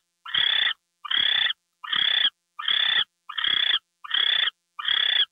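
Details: Gopher delivery at 10:43 PM, February 2, 2013: an owl gives seven evenly spaced, rasping hiss-screeches, one about every three-quarters of a second.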